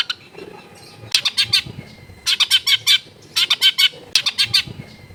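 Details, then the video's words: Long-tailed shrike singing a mimicry-filled song, recorded at home in a densely populated neighbourhood: four rapid, harsh, buzzy phrases, each a fast run of about five scratchy notes, separated by short pauses. "CENDET GACOR FULL ISIAN MEWAH COCOK BUAT MASTERAN CENDET MACET BUNYI AUTO MENJERIT"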